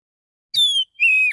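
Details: Male Oriental magpie-robin singing in the morning to call other magpie-robins: a high whistle gliding slightly down, then a lower steady drawn-out whistle.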